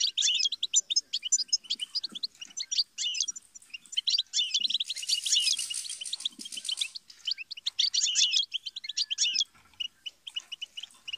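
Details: Long European goldfinch song for motivating songbirds: continuous rapid twitters and buzzy trills, with a brief hiss behind the singing midway and the song thinning to scattered chirps at the end.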